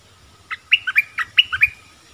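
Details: Streaked-eared bulbul delivering a rapid phrase of seven or so liquid, chirpy notes alternating high and low within about one second, over a faint steady background tone.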